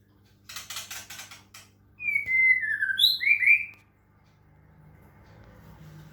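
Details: White-rumped shama, Medan type, in water-sound therapy: a faint harsh rattle, then a loud whistled note gliding down followed by quick high slurred notes, fading into quiet background rumble.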